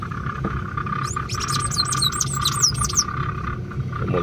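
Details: Sayaca tanager calling on 25 May 2024, a fast string of high, thin, falling whistles for about two seconds, over a low hum and a steady mid-pitched tone.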